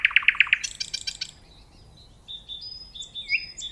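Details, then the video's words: Five loud pulsing notes from a nightingale give way to a buzzy rattle, then soft, thin, level whistles rising and falling. "صوت العندليب وجمال الطبيعة🤩Nightingale Sound and Nature Beauty"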